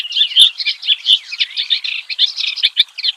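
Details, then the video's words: Clamorous reed warbler, locally kerak basi, singing in the wild: short busy burst of harsh chattering notes and sliding whistles, packed closely together. "Varian Ocehan KERAK BASI di ALAM LIAR"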